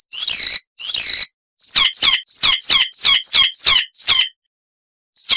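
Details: Icterine warbler singing loudly and variably: two buzzy squeaks, then a series of sharp high whistled notes sliding down in pitch, repeated about twice a second, a pause and one last whistle.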